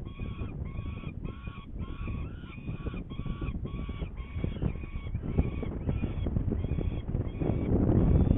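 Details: Saker falcon recorded in Hungary on 21 May 2019 at about 11:30 as it goes for prey: a steady series of short, nasal, harmonic notes, roughly four per second, continuing throughout over a constant low rumble.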